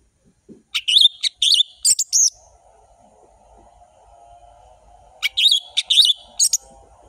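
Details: Orange-headed thrush singing an energetic, varied ngeplong-style song used to tutor young thrushes: clusters of sharp, high whistled and chattering notes in two groups, over a faint steady low hum.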